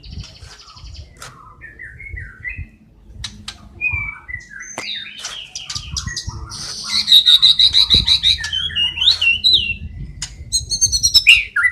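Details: White-rumped shama singing busily in a tutoring recording that mixes in sparrow, fighting lovebird and kapas tembak phrases: scattered short whistled notes rising and falling, then a dense rapid high trill near the middle and sharp repeated chips at the end.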